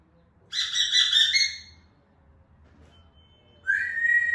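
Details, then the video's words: African grey parrot giving a loud, harsh harmonic squawk of about one second, a short pause, then a clear, steady, high whistled note that starts abruptly and is held to the end. "10 minutes Natural parrot sound 😍🦜 مقطع تحفيزي لببغاء الرمادي الافريقي🦜"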